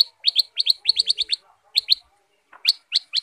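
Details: Sooty-headed bulbul (Pycnonotus aurigaster), song.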